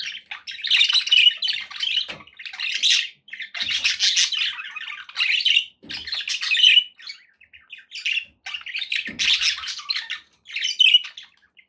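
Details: Pet budgerigars warble and squawk in long, loud bursts of chirpy notes with short breaks and occasional low thuds.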